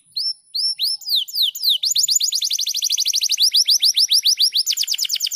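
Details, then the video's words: Canary in rapid, tightly packed song, recorded as a master for training other canaries: clear rising sweeps that quicken into a long, even run of repeated upslurred notes, about three per second or faster. "Masteran KENARI Speed Rapat Gacor"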